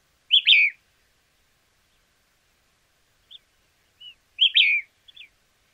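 White-crested Elaenia giving two short, burry, high calls about four seconds apart, with a few faint soft notes in between.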